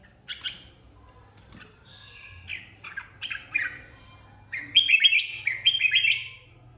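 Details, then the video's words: Red-whiskered bulbul, a flock leader, in competitive singing: scattered bright whistled notes early, then a loud run of warbled, rising and falling phrases near the end over a low steady hum. "Chào mào đầu đàn mới tách avi ra ( chào mào hót đấu)."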